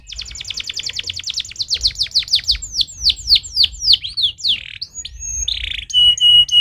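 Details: Canary stimulating song: a very fast high rattling trill slowing into distinct downslurred whistles, then brief buzzy notes and a long steady whistled tone near the end.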